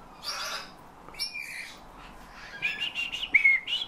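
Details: Hand-trained Eurasian bullfinch copying its owner's whistle plus nightingale and thrush phrases: a raspy burst, then a wavering whistle, followed by a rapid run of repeated clear notes ending in a sharp piping whistle.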